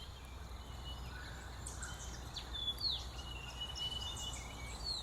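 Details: White-throated Gerygone in Scheyville National Park, west of Sydney, Australia, a bird that usually feeds high in the canopy. It gives thin high whistles, a few sharp downward-sliding notes and one drawn-out whistle over a low background rumble.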